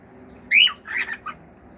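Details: Pet male cockatiel giving a brief harsh squawk followed by two shorter rasping notes, over a low background hum.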